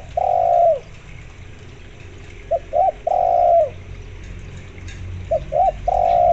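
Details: Spotted dove in full voice, joined by local zebra dove sounds and meant as a lure for zebra doves. The birds give long falling coos, each preceded by two brief clipped notes, in a steady repeated rhythm over a low background hum.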